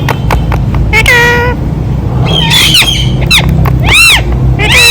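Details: A talking pet ringneck parrot, a rose-ringed parakeet, utters "Mitthu Mitthu". Scattered clicks give way to a drawn-out harmonic squawk, then curved, slurred call notes over a constant low background hum.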